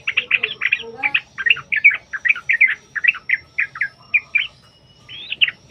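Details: Bulbul lure song, the sooty-headed species in long rapid-trill fighting style; dense, fast chattering of bubbly slurred notes, easing into spaced notes and a final warble.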